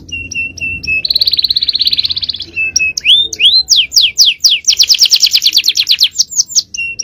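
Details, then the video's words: Canary, a male, singing a 'cengkok jawara' champion-style phrase used as tutor song: short clipped whistles, a dense buzzy rattle for about a second, then steep downward sweeps running into a fast rolling trill with more clipped notes closing. "Aksi Kenari||Cengkok Jawara||Full Power Canary Action||Cengkok Champion"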